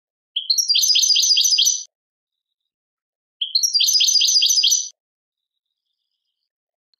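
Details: European goldfinch from Algeria, song called 'tadmait': two bursts of quick, liquid, tinkling twittering, each about a second and a half long, separated by a pause, with a clear, clean background.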